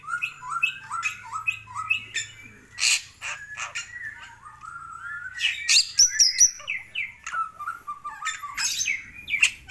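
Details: Long-crested Bali myna in full energetic gacor song: a fast, varied run of whistled upslurred notes, harsh buzzy bursts and sharp chips, mostly high-pitched, with short pauses between phrases and a faint low hum underneath.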